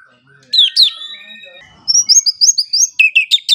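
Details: White-rumped shama song for morning and evening training of songbirds: two sharp high downslurred notes and a long held whistle, then a rapid series of short high chirps and scratchy notes.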